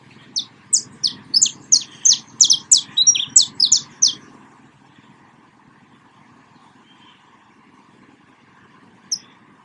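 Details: Canário-da-terra, the saffron finch, sings outdoors in a burst of about fifteen high, clipped chirps over four seconds, then falls silent apart from one lone chirp near the end over a low background hum.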